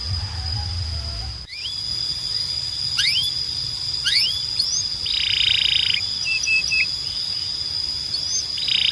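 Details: Canary training song heard sparsely: scattered rising and falling whistled slurs, a single buzzy burst and a few short level notes, over a constant thin high whistle and faint low hum.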